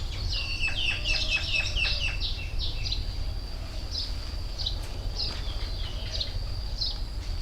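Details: Birdsong beside the Mekong river, a busy burst of high chirps and short trills at the start, then sparse sharp notes over a sustained thin whistle and constant low background rumble.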